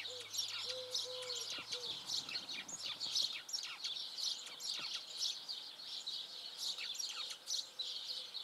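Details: Song of an uncommon, locally seen Eurasian tree sparrow: a dense, overlapping chatter of short, bright chirps throughout, with a faint low humming tone early on; the recordist thinks it resembles the house sparrow's song.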